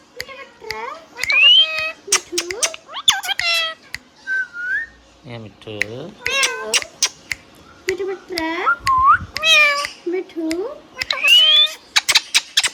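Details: Hand-tame pet rose-ringed parakeet talking indoors: a busy run of harmonic, bending speech-like phrases, rising whistles and sharp clicks, with a few low gruff notes near the middle.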